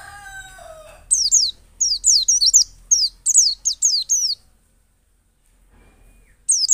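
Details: High-pitched lure song of a pleci dakun white-eye from Pacitan, ngalas and nembak style, for coaxing other birds into song; a rooster crow first, then a run of quick, steeply falling notes, a pause, and another burst.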